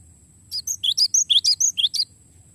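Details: Cinereous tit rolling song meant to train songbirds: a brisk chain of about eleven piercing notes in one and a half seconds, low slurred whistles alternating with higher chips, over a faint low background hum.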